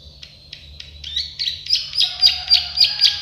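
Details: Plain prinia, locally prenjak sawah or klik-klik, singing for a training recording: spaced single clicks that speed up into a rhythmic chain of loud buzzy notes, with a faint low whistle underneath.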